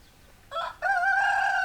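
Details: Rooster crowing: a short rough opening note, then a loud, sustained, strained crow holding steady.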